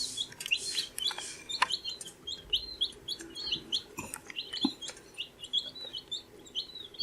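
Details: Baby chicks, 14 days old, chirping: a steady stream of thin, high peeping notes, many short and slightly rising, overlapping from several birds, with scattered clicks and scratching noises underneath.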